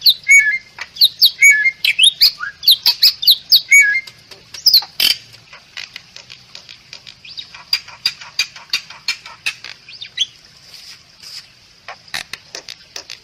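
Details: Bali myna, a protected bird increasingly rare in the wild in Bali, with a masteran training song: clicking, ratchet-like notes and short whistled phrases near the start, then a fading run of dry rapid ticks.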